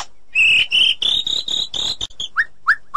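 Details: ['Female white-rumped shama in the forest calling the male. Loud, sustained, slightly buzzy high whistles are repeated about five times, followed by three short, lower, rising notes.']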